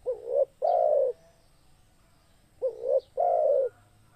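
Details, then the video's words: Zebra dove, known locally as tekukur, cooing: two phrases, each a short rising note followed by a longer rolling coo with a falling end, repeated after about two seconds; quiet background. "SUARA TEKUKUR GACOR"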